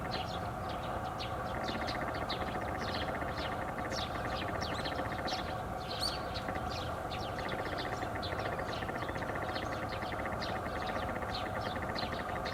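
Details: Garganey recorded on 13 April 2019 alongside Eurasian teal: a dry, rapid rattling of clicks in two long runs of several seconds each, over steady loud broadband noise and many short high chirps from other birds.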